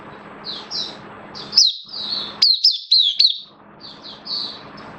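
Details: Caged oriental white-eye, a hobby bird recorded 11 September 2022 while slightly off form: soft high notes over a room hum, broken by a short, loud run of sharp falling chirps in the middle.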